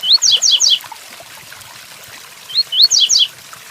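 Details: Two fast phrases of tui-tuí song by a double-collared seedeater against falling rain. A rising whistled slur leads into three rapid descending buzzy notes, then a gap before a similar second phrase.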